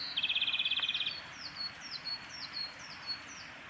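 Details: Male Japanese robin singing at Yanagisawa Pass on 28 April 2019: a high opening note, then a rapid rattling trill lasting about one second. Fainter, repeated, down-slurred whistles from other birds follow.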